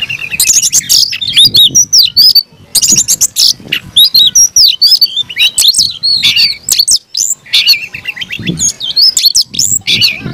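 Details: Oriental magpie-robin in captivity, singing an aggressive fighting song: long run of loud varied phrases, looping whistles, trills and harsh scratchy notes, only briefly interrupted by pauses, with faint low background rumble.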